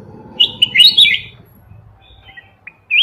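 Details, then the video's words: Red-whiskered bulbul giving a quick burst of bright, bubbling warbled notes, then a pause and a shorter phrase; faint low hum behind. "Chào mào núi không tạp âm"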